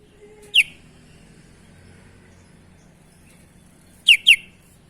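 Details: Sooty-headed bulbul producing strange sounds: a single sharp downslurred whistle, a long pause, then two more rapid downslurred whistles close together.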